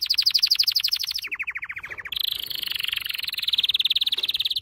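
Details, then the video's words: Loud canary training song of rapid trills: a high pulsing roll drops to a lower, faster series, then shifts into a steady, dense rolling trill that carries through to the end. "Your canary will NEVER STOP SINGING With this training song"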